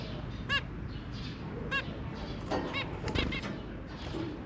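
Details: Zebra finch pair with three babies, 23 January 2022, giving a few spaced nasal honking beeps, one at a time and then a brief cluster, over a noticeable low hum.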